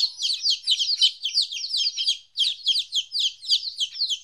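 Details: Baby chickens 14 days old, apart from their mother for the first time, chirp in quick bursts of piercing downslurred peeps, with a brief lull midway before the chorus resumes.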